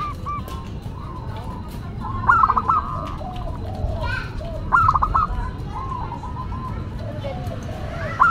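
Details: Local zebra dove with a classic, unique song, used to lure and tutor other doves: loud cooing phrases recur about every two and a half seconds, each a rising note then quick short notes, over faint doves and children.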